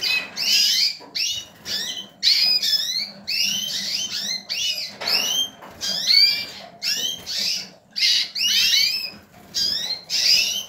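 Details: Male yellow mosaic lipochrome canary born in 2018, singing: a lively, continuous run of bright, high trills and sweeping whistled notes in rapid bursts, with short breaks between phrases and a faint low hum beneath.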